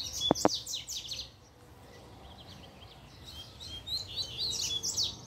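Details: Excited by a female, a double-collared seedeater sings quick, high, downward-sweeping notes opened by two sharp clicks, falls silent briefly, then resumes with busy twittering.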